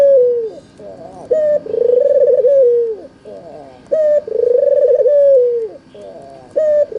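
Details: Red-eyed white albino Barbary dove used as a lure to prompt quiet doves to call back, giving loud repeated coos: a sharp upward note, then a long wavering purr that falls away at the end, about every 2.5 seconds.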